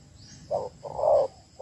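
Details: Spotted dove female calling to excite males: a brief low coo, then a longer, fuller coo, with a third note beginning at the end against quiet low background hum.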